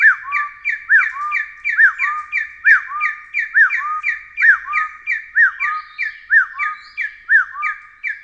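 Taiwan Hill Partridge giving a steady run of clear whistled notes, each a quick rising-falling slur dropping to a lower held whistle, about two per second.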